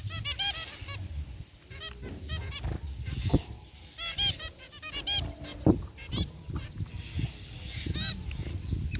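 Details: Several caged zebra finches, including a rare white one among gray birds, give rapid nasal beeping calls in clustered bursts, trumpet-like and harmonic, over low rumbling background noise and occasional thuds.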